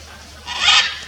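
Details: Blue-and-yellow macaw filmed during birdwatching on bike trails, giving one short, harsh, raspy squawk that swells and fades within about half a second over a quiet background.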